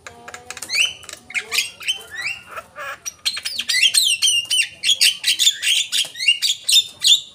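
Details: Used as a lure, Javan myna calls build from scattered rasping squawks into a fast, dense string of whistled and buzzy notes.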